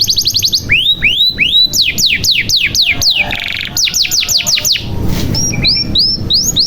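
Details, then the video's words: Canary singing as a lure for birds that have stopped singing: a fast high trill, a run of swooping descending whistles, a short buzzy burst, more swoops, then sparse rising notes. "SUARA KENARI GACOR • Pancingan Kenari Macet Bunyi Supaya Gacor • Membuat Kenari Paud Cepat Bunyi"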